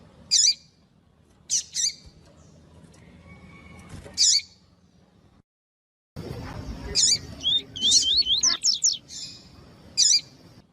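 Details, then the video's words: Caged Double-collared seedeater, or coleiro tui tui, song used by breeders to warm up and excite other males for tournaments: short high bursts spaced a second or two apart, then a brief gap and a quicker run of looping whistled notes. "ESQUENTAR COLEIRO TUI TUI"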